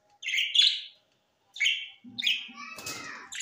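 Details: Three separate rasping parrot squawks, each under half a second, spaced by short silences, followed by a brief clattering noise; recorded September 13, 2023 in Larkana, Sindh.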